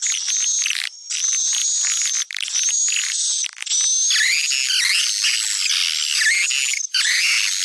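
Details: Call used in Sumatra to draw swiftlets in: a sustained high whistled tone runs over busy chattering twitters, with short breaks and rising and falling chirps in the second half.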